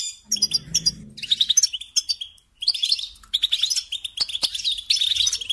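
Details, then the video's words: Goldfinch song for teaching young birds: a low humming noise at first, then bursts of high, jangling twitters, a short silence, and more quick chirped phrases. "Teaching Singing Lessons Through Goldfinch Motives"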